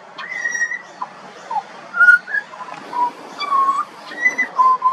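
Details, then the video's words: Song of a juvenile pied butcherbird: pure whistled notes, several sliding down or up, delivered one by one with small gaps, clear over light background hiss. "Butcherbird. Bird Singing. Bird Call and Sounds"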